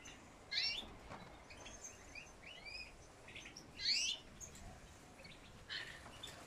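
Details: Goldfinch calling in short twittering bursts, about four loud clusters of quick chirps and rising slurred notes spaced one to two seconds apart, with quieter tweets between them.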